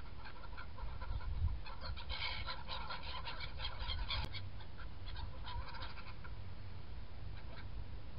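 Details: Black-headed gulls feeding and in flight on 21 January: a flock gives overlapping harsh, harmonic calls in dense bursts during the first half, thinning to scattered cries later, over constant low wind rumble.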